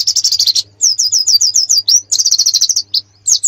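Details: Canary master song for national competition training: fast chattering trills alternate with runs of clear slurred whistles, all high and bright, in quick succession.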